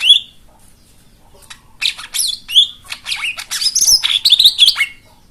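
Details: White-eye song for coaxing silent birds to sing: a lone high whistle, a gap, then a busy, hurried jumble of sharp chirps, rising whistles and twittering notes building toward the end.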